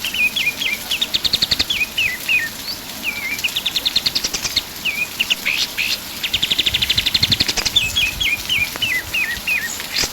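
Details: Pied triller in vigorous full song, recorded as a tutor song for other songbirds: series of high, down-slurred whistled notes alternating with fast, dry, buzzy trills, phrases repeating steadily with little background noise.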